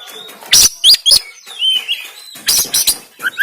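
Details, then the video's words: Oriental magpie-robin, recorded on an Android phone in Banten, a lively varied song of whistled rising and falling notes mixed with loud harsh rasping bursts, played to stimulate a caged bird to sing and open its tail. "KACER TEMBAKAN KASAR‼️Full Emosi Dongkrak Kacer Yang Malas Bunyi Dan Buka Ekor"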